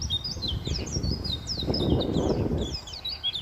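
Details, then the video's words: White-eye song as a fast series of high, sharply rising and falling whistled notes, several overlapping phrases, with low rumbling noise underneath. "BURUNG PLECI"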